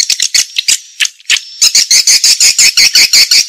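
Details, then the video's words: Swiftlet calling and lure sound used by swiftlet farmers: fast, high, buzzy chirps, at first uneven, then settling into a steady run of about five per second. "Suara Walet"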